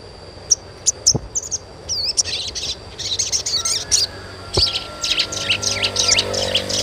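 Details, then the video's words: Dense, lively sogon chirping for stimulating young birds: a rapid run of high twittering notes and trills that grows busier midway, over a faint high whine and a thin held tone. "SUARA CUITAN SOGON UNTUK PANCINGAN SOGON BAHAN AGAR CEPAT GACOR"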